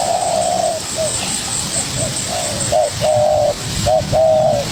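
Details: Young spotted dove responding hard to a decoy bird: a long drawn coo, then uneven short hoots building to louder paired coos, with rumbling low noise and hiss behind.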